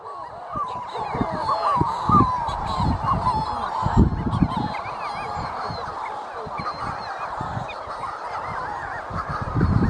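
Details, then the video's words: A dense chorus of Manx shearwaters near the North Haven on Skomer gives harsh, crowing cackles that rise and fall and overlap continuously, over low thumps and rumbling. "The Sound of Manx Shearwaters"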